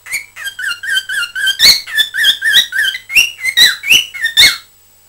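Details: Pet cockatiel recorded on 20 December 2007, chattering in a quick run of about a dozen bright, warbling whistled notes rising and dipping in pitch, with quiet room background.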